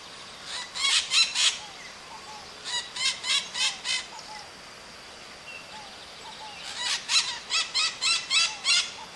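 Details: Pionus parrot calling: three bursts of harsh, rasping screeches, five or six notes each and evenly spaced, separated by short pauses. Faint background noise underneath.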